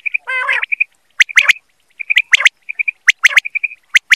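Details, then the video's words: A quail calls for a hunting recording: a rasping, buzzy opening note, then repeated groups of sharp clipped notes, with a steady patter of soft short piping notes between the groups. "BATAIR KI AWAZ || QUAIL CALLING"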